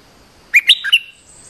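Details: Bulbul lure song used to draw a territorial bird, the resident owner leaping at it fiercely; a brief burst of four bright, whistled notes in quick succession, sliding up and down, over a quiet background.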